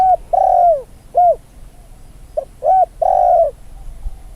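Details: Newly trained decoy Spotted Dove cooing at field training, with wild doves wary of people nearby: two loud coos, the second long and sliding, an arched coo, then a short note, another arched coo and a long closing coo.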